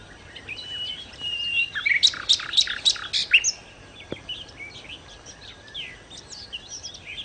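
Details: Nightingale (sikatan londo) in vigorous song used to lure birds: a smooth whistle, then loud, sharp ringing notes repeated about four times a second, followed by scattered softer chirps and twitters.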